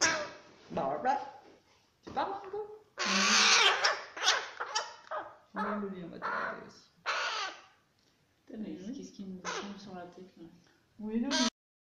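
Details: A young crow raised indoors after falling from its nest gives harsh, raspy begging caws in irregular bursts while being fed, some long and grating, with a person talking nearby.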